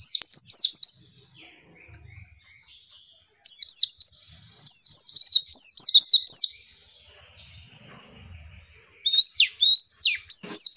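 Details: A female white-eye gives high, thin, wavering chirps in quick bursts of three or four notes with short pauses, calling to provoke males into answering.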